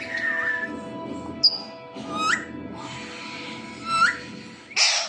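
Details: Alexandrine parakeet mimicking a cough, with three harsh, cough-like bursts ending in short rising squawks, plus a brief high whistle, over a steady indoor hum; it is also said to say "meow".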